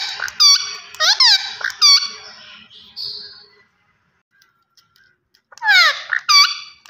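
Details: A green Indian ringneck parakeet talks in high, squeaky mimicked phrases in two bursts, the first running about two seconds, then a pause before the second.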